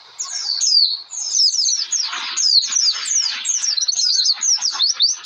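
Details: High, hurried twittering song of an Oriental white-eye, played as a lure to get birds singing; slurred descending whistles tumble in quick succession over a hissy, rustling background.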